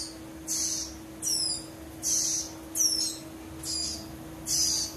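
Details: Prinia chicks, discussed as a way to tell males from females, give loud high chirps about once a second, alternating hissy bursts with quick falling stepped notes, over a steady low hum.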